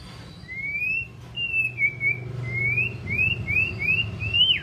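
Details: White-rumped shama, a singing-training recording meant to spur a long, fiery song: clear whistled notes near the upper-middle range, a long level whistle then a run of short upslurred whistles repeated about twice a second, ending in a higher downslurred note.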